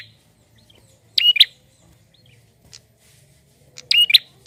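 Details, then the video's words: Male prinia singing to stimulate other birds: two loud, high, buzzy double chirps nearly three seconds apart, with a faint short chip between them and a soft low hum underneath. "PRENJAK JANTAN GACOR untuk pancing bunyi burung bahan"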